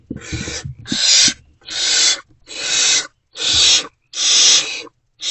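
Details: Barn owls in a nest box, early morning darkness of 28 February 2024, with food deliveries ongoing; a series of grating, airy screeches, each under a second, spaced evenly with brief silences.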